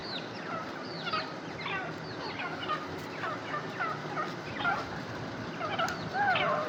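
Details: Teetar partridge calls continuing: curving, slightly rasping notes in uneven groups, repeated throughout, with a louder final burst over constant background noise.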